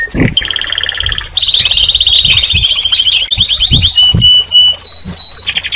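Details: Canary song and calls: a steady whistled tone, then buzzy rapid trills and rolling phrases, ending in pure high whistles; faint low thumps recur beneath the singing.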